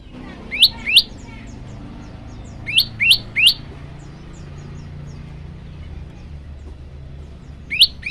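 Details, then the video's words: Olive-backed tailorbird in a varied master recording for training birds, giving scattered sharp chip notes in pairs and triplets separated by pauses of a couple of seconds, over a low background hum. "masteran burung prenjak lumut variasi"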